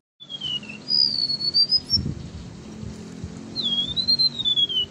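Golden-bellied Gerygone singing thin, high, sliding whistles that waver and fall, in two drawn-out phrases, over a soft low rumble of background noise.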